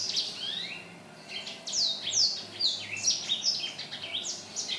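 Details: Black-throated laughingthrush, 15 December 2016, singing with vigour; a soft start, then crisp falling whistles and rising slurs repeat rapidly and irregularly for several seconds.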